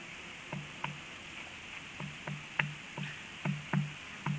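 A black stork gives a run of short, low, hoarse notes, each starting with a sharp click, about ten in four seconds at an uneven pace.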